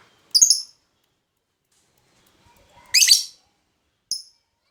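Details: Lovebird used as a master pancingan sound: three short, sharp, high chirps spaced over about four seconds, with quiet between them.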